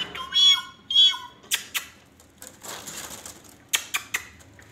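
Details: Pet Indian ringneck parakeet kept as a talking bird, giving two loud harsh squawks with stacked overtones, followed by scattered clicks, scratchy rustling and short sharp chips.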